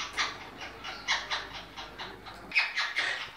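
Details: A captive monk parakeet (Quaker parrot) in a breeding setup gives short, rasping, harsh squawks in an uneven series of about ten notes, with small gaps between them.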